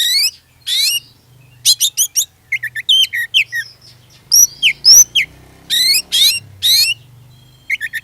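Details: Oriental magpie-robin in full lure song to set other magpie-robins singing; choppy bursts of scratchy chirps and upswept whistles over a steady low background hum.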